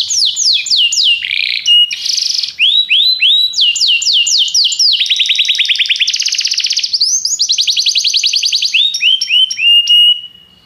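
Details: Canary song over about ten seconds: quick downward-slurred whistles, a buzzy burst, rising swoops, then long rolling trills of very rapid repeated notes ending on a sustained whistle.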